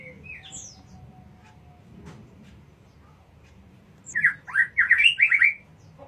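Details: White-rumped shama song: a short burst of rich, rapid warbled notes near the end, with a few high whistles earlier over a low background rumble.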